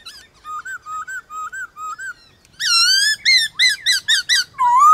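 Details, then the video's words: White-cheeked laughingthrush singing in the morning in a contest with wild birds: a run of short clear whistled notes repeated evenly, then louder rich rising whistled phrases with strong overtones, repeated in quick bursts, ending on a long rising whistle. "Khướu bạc má HÓT ĐẤU với Khướu ngoài thiên nhiên buổi sáng cực hay"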